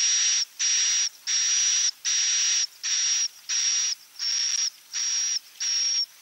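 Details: Klepek-klepek style roosting lure of the edible-nest swiftlet: a regular series of nine harsh buzzing bursts with a thin high whistle, each about half a second long and evenly spaced.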